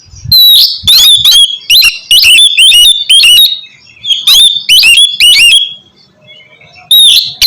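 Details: Oriental magpie-robin giving 'ngeplong' song for training lazy birds to sing: two runs of repeated harsh, ringing notes split by a quiet gap, ending with one final sharp note.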